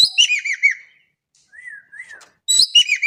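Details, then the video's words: Javan kingfisher from Indonesia: a loud harsh series of descending hooked notes, two soft slurred whistles in the gap, then another strong burst. "EKEK KELING GACOR DAHSYAT"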